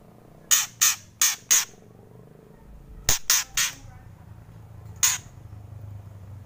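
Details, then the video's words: White-rumped shama kretekan: a run of four harsh, scratchy bursts, a pause, three more in quick succession, then a single rasp, against a quiet humming background. "Kretekan Murai Keras"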